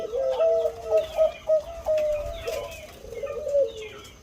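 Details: Big-voiced Bangkok-type zebra dove cooing in a soft, purring series of short rolled notes that then stretches into longer, steadier coos, with faint higher chirps and a low hum behind.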